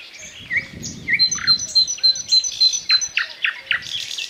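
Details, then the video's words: Thrush nightingale with a loud song: two rising whistles, then a steady run of high piping notes about five per second over dropping clicks, ending with a buzzy flourish. "Соловей поёт чарующие пения соловья"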